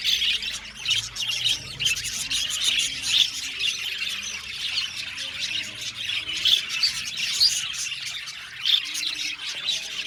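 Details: Budgerigar colony in an aviary chirping and singing: unbroken, many-voiced high chatter with scratchy squawks and brief bright tweets scattered throughout.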